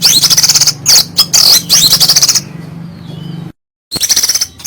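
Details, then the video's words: Oriental magpie-robin (kacer) giving rough 'kasaran' phrases: grating high buzzy bursts in rapid succession, a quieter faint trailing whistle, a brief silence, then the rasping resumes over a low hum. "Materi Kasaran Burung Kacer Gacor, Bikin Lawan Gembung"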